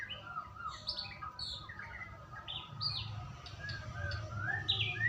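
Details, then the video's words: White-rumped shama lure song aimed at making a bird sing, with scattered short whistles and chirps, some rising and some falling, over a low rumbling background. "Pancingan burung murai batu agar bunyi"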